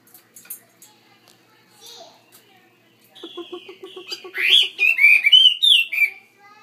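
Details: Chinese hwamei kept in a bigger cage: faint scattered notes, then a fast series of low pulsed notes that build into loud, rich whistled phrases with sweeping slurs.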